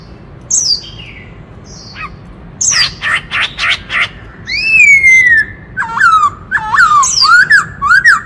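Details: White-cheeked laughingthrush, a forest bird, singing to stir males: scattered high slurred notes and rapid rattling chatter give way to a long falling whistle, then a lively series of looping, dipping whistles.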